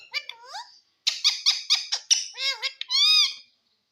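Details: Green Indian ringneck parrot talking: a run of high, rich, harmonic speech-like syllables with sliding pitch, several quick clipped notes, then a longer bright drawn-out sound, in a quiet indoor setting.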